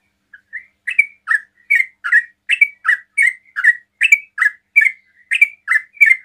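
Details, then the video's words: Sooty-headed bulbul song delivered fast to provoke other bulbuls into answering: a long steady string of loud whistled chirps, close to three per second, alternating higher and lower slurs after two quiet lead-in notes. "TRUCUKAN ROPEL PALING CEPAT MEMANCING TRUCUKAN LAIN NYAUT"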